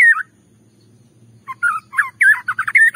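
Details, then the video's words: A white-rumped shama gives a bait song used to provoke another shama to sing. A brief twisting whistle is followed by silence, then a burst of quick, varied chattering whistles and slurred notes, over a soft low hum. "Pancingan Murai batu bikin murai emosi"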